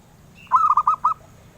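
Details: Zebra dove, a bird coveted by collectors, sings a gentle cooing phrase: a drawn-out first note then four short, rhythmic coos, over steady low-pitched background noise.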